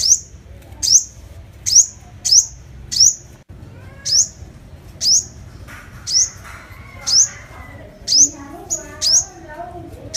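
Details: Lure recording of a five-coloured sunbird: a series of thin, very high chirps at uneven spacing, with faint lower warbling sounds mixed in during the second half.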